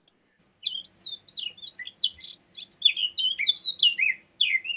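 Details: Eurasian Blackcap song played for comparison with garden warbler: a fast run of high, clear, varied warbled notes, loud and somewhat shrill toward the close, marking a distinct strophe end.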